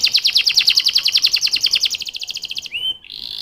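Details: Canary producing a fast, pulsing trill of rapid repeated notes lasting over two seconds, then a short rising whistle and a flat tone.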